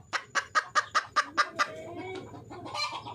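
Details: Wild red junglefowl hen calling for a male: about eight sharp clucks in quick, even succession, roughly five per second, then fading into softer murmuring.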